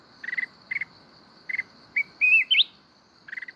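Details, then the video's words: Red-whiskered bulbul of the mountain type singing kít bổi style, Binh Thuan. Doubled chirps, then a sliding, looping whistle climbing sharply at its end, closing with more chirps; high insect drone throughout. "chào mào núi hót giọng rừng kít bổi cực hay"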